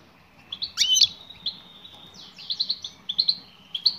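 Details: High, bright calls of a female European goldfinch directed at a male: an emphatic double chirp, then rapid clusters of tinkling, slurred notes in quick succession.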